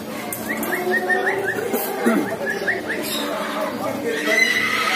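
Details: Male and female eclectus parrots give a run of short, rising chirps in quick succession, with a low murmur of voices and other background sounds beneath.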